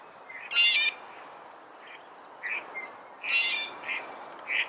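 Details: Red-bellied woodpecker producing two rolling churr notes about three seconds apart, each followed by shorter softer chirps.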